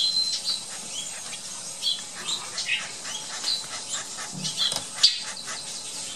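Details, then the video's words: A young (baby) flicker gives a steady, high, buzzy chitter of rapid overlapping notes that runs without pause, with faint background hiss. "More of the Baby Flicker Chittering!"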